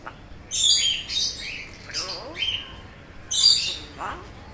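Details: Pet African grey parrot repeating words it knows: loud breathy, hiss-like bursts in a few separate phrases, with short tonal rising and falling sweeps near the second and fourth seconds, quiet room behind.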